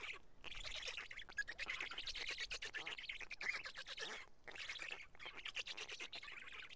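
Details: Black stork chicks eating pieces of fish delivered by an adult at Karula on 31 May 2017 make rough, buzzing rasps in long runs, with two clear pauses.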